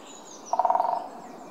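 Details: Great spotted woodpecker (Dendrocopos major pinetorum) gives one quick, even burst of about ten hollow knocks in under half a second, a short mid-pitched drum roll against a quiet background.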